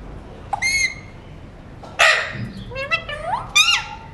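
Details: Alexandrine parakeet, a talking mutation bird eating seeds, gives three separate bursts of harmonic chatter: a short bright note, a rough broad squawk, then rising and falling whistled syllables ending in a sharp upward call.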